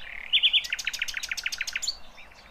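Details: Sikatan londo flycatcher delivering a rough 'tembakan kasar' burst suited to tutoring other songbirds: three loud sharp notes followed by a quick regular rattle of about a dozen bright chips, then fading thin whistles.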